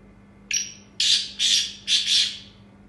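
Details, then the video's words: Black francolin of the Chinrga Sindhi breed, kept captive: a short whistled note followed by three loud, harsh, grating bursts, the last one doubled. "کالا تیتر چنڑگی نسل"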